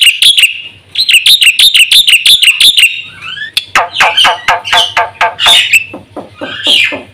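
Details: Black-winged myna, caged, delivering a varied full-fill song for training other birds: bursts of quick high chirps, then a looser stretch of harsh, sweeping and broken notes of changing pitch.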